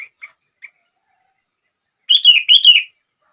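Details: Sooty-headed bulbul song intended to trigger other bulbuls: a few faint short chirps, then one bubbly phrase of rolling whistled notes.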